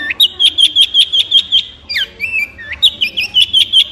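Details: Long-tailed shrike repeating a sharp, high whistled note at a quick, steady pace, broken midway by a few twisting, slurred notes before the rapid series resumes.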